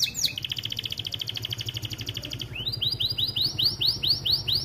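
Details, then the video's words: American Fancy canary, starblue colour, in a master song for young birds: a long steady rattling trill lasting over two seconds, then a series of rising-and-falling arched notes, about two each second. "Kenari AF warna starblue gacor lagu unik mewah untuk masteran kenari paud"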